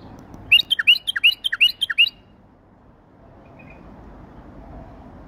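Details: Tame male bulbul singing while fluttering its wings: a fast run of about ten bright, clear whistled notes alternating high and lower, lasting two seconds, then steady low background rumble.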